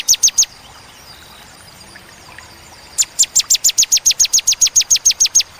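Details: Bar-winged prinia (ciblek) delivering the clear ciwah cigun 'tembakan' song: three sharp high chips, a silence of over two seconds, then a fast steady run of about fifteen downslurred notes.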